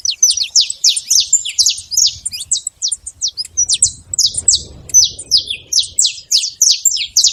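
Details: Saffron finch living free in the wild, delivering a rapid stream of bright, high chirps that slide downward, packed closely together and slightly varied in pitch, with faint low rustling midway.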